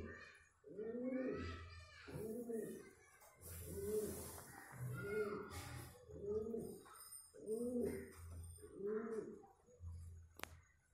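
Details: Courting pigeons give a string of low, bubbling coos at a slightly uneven pace, roughly one per second and a half, with a faint hum and brief rustling between calls.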